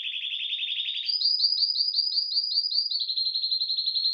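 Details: Excited male canary singing in mating mood, a fast high trill that jumps to a slightly higher rolling phrase of repeated notes, then drops back to a steady trill.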